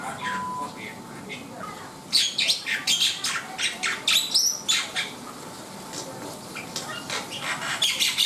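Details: Black-winged myna delivering loud, scratchy song phrases with squeaky accents, separated by short gaps, over a quiet steady hum.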